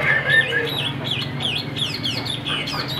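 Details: A caged Chinese hwamei, described as about 85–90% tame, sings outdoors as rain threatens: a fast run of loud, bright whistled notes swooping down and up, about four each second, over a low steady hum.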